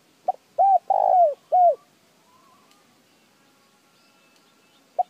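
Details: A spotted dove gives one phrase to rouse decoy doves into calling: a short pip, three soft arched coos with a longer central one, then near silence before another pip begins.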